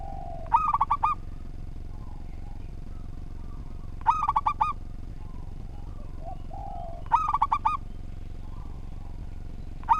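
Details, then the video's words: Local zebra dove (perkutut) singing actively with a structured song, meant as tutor audio for training birds. Four bursts of quick, bubbling coos, roughly three seconds apart. Soft, low extra notes and a constant hum sound between them. "Perkutut Lokal Gacor Suara Tersusun"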